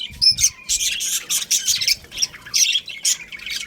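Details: A budgerigar breeding pair calling with harsh, high squawks and chirps repeated rapidly in short bursts, several notes every second, with little else audible.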